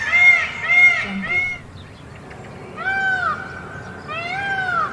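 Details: A peacock (Indian peafowl, Pavo cristatus) in a cage gives loud, nasal, cat-like wails: three quick cries in a row, a brief pause, then two longer, drawn-out calls over a faint background hiss.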